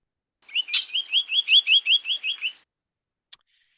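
A Spotted Sandpiper gives a quick run of about nine high, clear weet notes, roughly four a second, followed by a single faint click.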